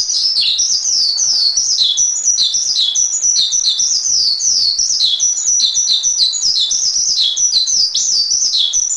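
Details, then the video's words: Long, loud run of Javan pied starling song meant as a master track for training songbirds, with rapid high chirps and downslurred whistles in a steady, unbroken chatter. "Masteran Suara Jalak Suren"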